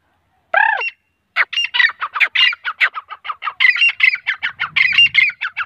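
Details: One long downward-sliding nasal note from grey francolin (teeter), male and female, then after a short gap a lengthy, accelerating chatter of harsh ringing notes repeated several times a second; a faint low rumble underneath.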